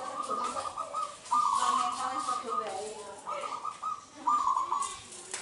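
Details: Local Indonesian zebra dove in vigorous song for luring others: burry trilled coo phrases in a few bursts, with fainter layered calls beneath and a busy hiss in the background.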